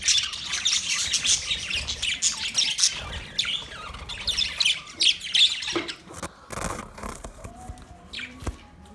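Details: Caged budgerigars in a large cage, a dense flock chatter of high, scratchy chirps and warbles with sharp squawks, continuous for several seconds and then thinning out with scattered clicks.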